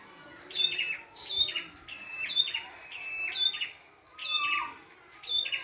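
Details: Red-headed prinia singing freely in nature with plenty of variety: loud, evenly spaced chirping phrases, each topped by a thin piercing whistle and trailing downward notes.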